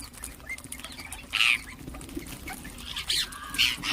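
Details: Ring-necked parakeets chirping and calling: a loud grating screech, then two shorter harsh calls close together near the end, against a faint background hum.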